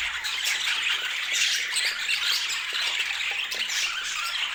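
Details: Colorful budgerigars kept as pets, chattering constantly: high, grating chirps and squeaks piled densely together at an even loudness, with brief ticking notes scattered through.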